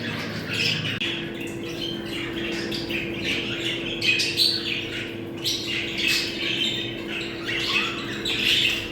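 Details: Budgerigars' mating call, played to bring birds into breeding condition: dense, continuous warbling and chirping chatter with scratchy squawks and sharp chirps overlapping throughout, over a steady low electrical hum that starts after the first second.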